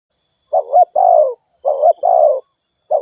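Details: Spotted dove giving fast cooing used to stimulate decoy birds: low hoarse two-part coos in quick pairs, a short note followed by a longer rolling one, repeated about twice in three seconds.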